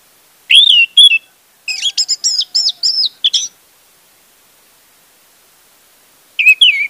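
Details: Orange-headed thrush song, used as a lure to prompt silent thrushes to sing: bursts of rich, varied whistled and trilled phrases, high and fast, with pauses between; a clean recording with no other sounds.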